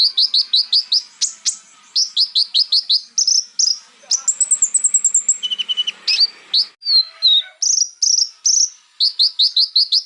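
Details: Konin song meant to spark rival birds into agitation: quick high chips repeated almost three per second, interrupted by clear whistled notes, a steady lower whistle and trilled phrases.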